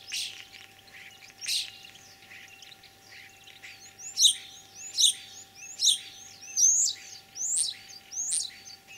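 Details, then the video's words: Spring song of a common starling, Kalyazinsky district, Tver region, Russia, 9 April 2023, a bird that imitates other species. High, sharp repeated chirps, soft at first, then loud phrases roughly every 0.7 seconds. "Кого передразнил скворец?.."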